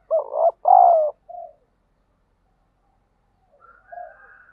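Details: Spotted dove urging a fight and training a lure bird: two loud, full coo notes in quick succession and a softer trailing coo, then silence, then a faint higher drawn-out note with a low coo.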